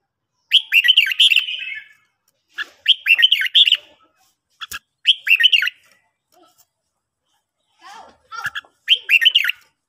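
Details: Red-whiskered bulbul in training, singing in the morning: four bursts of quick, warbled, whistled phrases roughly every two seconds, separated by quiet gaps, with a few soft chips between.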